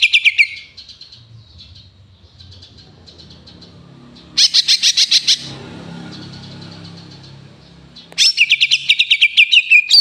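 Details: Eurasian tree sparrow chirping, used as a master recording for training songbirds: bursts of rapid, sharp, high chirps repeated in quick series, with quieter chirping between bursts and a faint low hum underneath.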